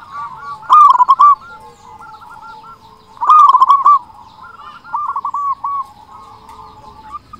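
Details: Loud local zebra dove song played as a lure to stimulate other doves: three clear bursts of quick, stuttered coos, the first two strongest, separated by quieter stretches.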